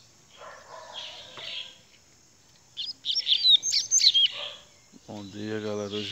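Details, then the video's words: High chirps from a rusty-collared seedeater build into a rapid string of sharp whistled notes in the middle, followed by a lower, drawn-out harmonic sound at the end. "coleiro grego"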